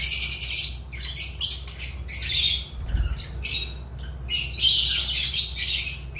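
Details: Agapornis lovebirds in loud, continuous shrill squawking, rasping high bursts packed closely together with short gaps, a low thump midway and faint background hum.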